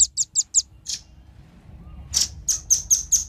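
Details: Male and female velvet-fronted nuthatch lure sound: four quick, high chips and a blurred note, a short lull, then a louder note and a new series of evenly spaced, piercing chips.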